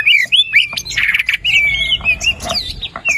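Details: White-rumped shama in full song, meant to prompt a silent bird to sing: dense run of high whistles, a sustained steady note and chattering flourishes.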